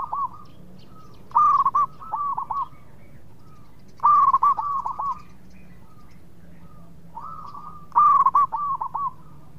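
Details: Zebra dove of a local Indonesian type in full song, meant to lure rival birds into answering quickly: three rhythmic bouts about every three and a half seconds, each a loud rolling coo followed by softer dipping, bubbling notes.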